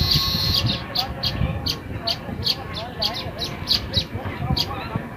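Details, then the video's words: At their new nest, baya weavers repeat short, high chip notes about twice a second, steady and insistent, over a noisy low background. "Baya Weaver The birds are celebrating their new home"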